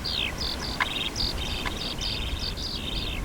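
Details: A Eurasian skylark mother at Cheonsu Bay, Korea, in summer gives an alarm call to her chick as a rat snake approaches: rapid high, buzzy chirping notes, several a second, over a low rumble; the chick plays dead.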